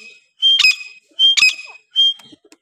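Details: Partridge (teetar) pairs, possibly grey partridge: one gives three loud, shrill calls about every 0.7 seconds, each starting as a high whistled note and breaking into a harsh, scratchy burst.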